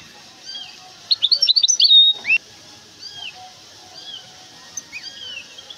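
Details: Caged goldfinch hybrid, described as large, from Temara, in a short burst of rapid, high twittering with sliding notes lasting about a second. Fainter scattered chirps and quiet background noise follow.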